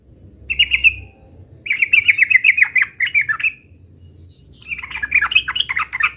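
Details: Three bursts of fighting song, 'uplik-uplik' style, from a yellow-vented bulbul: a brief warble, then a long chattering string of rapid bright notes, a silence, and a final rolling bubbly phrase.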